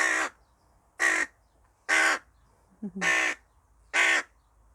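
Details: A tame hooded crow making noise while it eats: five harsh, hoarse caws, each short and evenly spaced about a second apart, with a brief soft note just before the fourth.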